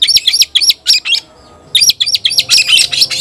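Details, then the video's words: White-rumped shama calling an opponent to fight: loud, rapid series of sharp chirps and short rising whistled notes around four kilohertz, repeated about four times a second in bursts, with a brief pause between bursts. "Teriakan KACER panggil lawan tarung"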